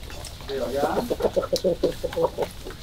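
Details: Morning chickens in February 2022 uttering a steady string of short, low murmured clucks, evenly spaced for about two seconds, over faint background noise.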